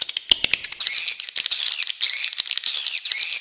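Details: Swiftlet clicks in a brief rapid series, followed by repeated high, buzzy, wavering twitter phrases roughly every half second.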